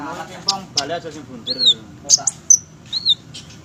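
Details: Olive-backed sunbird, a fighter bird, delivering bright, high chirps and two upward-curving whistled slurs about a second and a half apart, after a brief low murmuring sound at the start.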